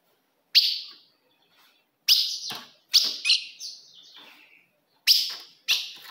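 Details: Ultramarine grosbeak female call for provoking a male: sparse, crisp chips with downward slurs, one followed by a trailing descending warble, separated by silent gaps.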